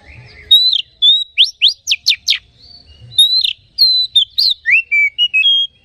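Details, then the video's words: Oriental magpie-robin singing as a lure meant to excite other magpie-robins: loud, varied whistled phrases, including a quick series of sharp upward-sweeping notes, then sustained whistles and descending slurs in close succession. "Suara Pancingan Kacer Agar Cepat Emosi Gacor ! Pancingan Paling Ampuh Buat Menaikan Emosi Kacer"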